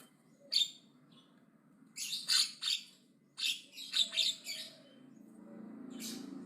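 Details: Javan myna giving aggressive loud chatter in short clusters of harsh rasping notes between quieter pauses, with a low hum toward the end.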